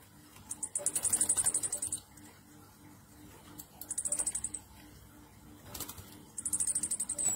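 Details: Orange-headed thrush giving the rapid 'ngecir nratak' song style, used as a lure to get other birds singing: three very high, fast chattering trills of about a second each, separated by pauses, over clicking and a low steady hum.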